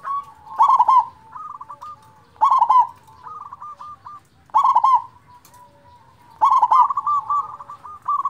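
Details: Local zebra dove with a big voice, used as a lure to stir silent doves into singing: four loud, throaty cooing bursts arrive about every two seconds, each trailed by softer rolling, trilled coos.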